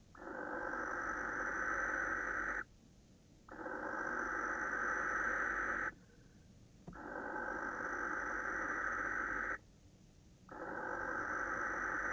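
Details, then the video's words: Barn owl male calling at a female, 26 December 2017 at about 21:07; four long, rough hissing screeches, each near three seconds, evenly spaced by brief silences. "Kerkuil, M brult tegen V"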